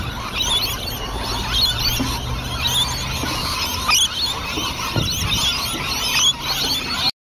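A flock of lorikeets fills the air with shrill, screechy squeals and chatter, overlapping constantly with no clear rhythm.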